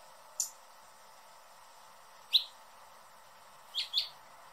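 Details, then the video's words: Hummingbird giving a few isolated high, thin chips, the last two close together as a quick double note, separated by pauses of over a second. "Hummingbird sounds in 2021 | Calls and Song"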